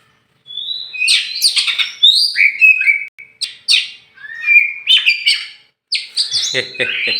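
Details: Tame champion oriental magpie-robin, Meulaboh, Aceh, flying free before caging: clear rising and falling whistled phrases and sharp chirps in short bursts with silent gaps, ending in buzzy, stuttering notes.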